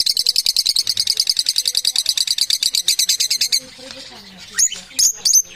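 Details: Parrots chattering in a rapid, steady run of buzzy high notes for about three and a half seconds, then a pause and a few sharp whistled calls.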